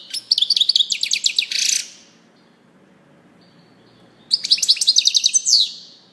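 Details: European goldfinch singing two bright, rapid twittering bursts of high tinkling notes, each ending in a short buzzy flourish, separated by about two seconds of silence.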